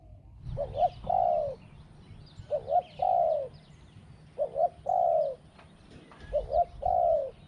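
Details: Spotted dove singing in a small voice, two 'kuk' notes and a long 'ku-ang' kept up throughout. A double-peaked short note and then a long falling coo repeat roughly every two seconds against a quiet background.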